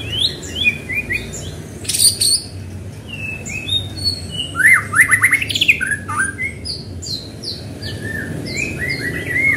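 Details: Rich, continuous white-rumped shama song intended to make other shamas sing, with rapid varied whistles, harsh chattering bursts and rising slurred notes following each other almost without pause, faint low hum beneath.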